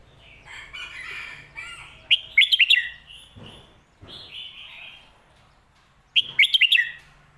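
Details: Red-whiskered bulbul singing the popular phat kuay tiao or mae bot song style. Two lively phrases of quick, bubbling whistled notes about four seconds apart, with softer warbles in between.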